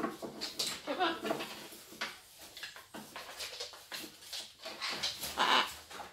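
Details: Macaws, one playing and another taking flight, give harsh, raspy squawks and shorter grating notes in quick irregular bursts, with one clearer, more tonal cry near the end.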